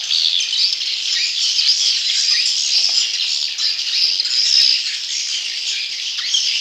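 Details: Dense high-pitched chatter of swiftlet chicks, used to lure wild swiftlets; overlapping squeaky, buzzy notes stream continuously, peaking briefly midway.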